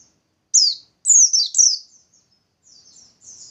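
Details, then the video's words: Singing white-eye of the bustomi type, used as a lure to get other white-eyes to sing: three bright, high, downward-sliding whistled phrases in quick succession, followed by softer, thin twittering notes and otherwise quiet surroundings. "Burung Pleci Bustomi Gacor || Pancingan Pleci Biar Cepat Nembak"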